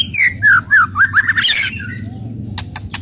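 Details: White-rumped shama singing aggressively to stir other birds: a run of loud slurred whistles sliding downward, then rising notes, followed by a few sharp clicks over a steady low hum.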